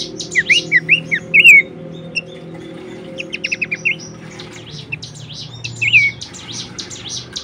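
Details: Horsfield's babbler, recorded as a training song for songbirds, opens with a quick series of sharp slurred whistles, then scattered short notes and a last rising-falling whistle. Busy high chirping from other birds and a low hum continue throughout.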